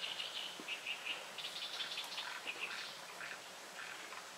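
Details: Unseen Japanese paradise flycatcher at 6:16 pm on 18 June 2018, singing its "hoi hoi hoi" song: short, clear whistled notes in quick runs of three, against a busy chorus of other high chirps and trills.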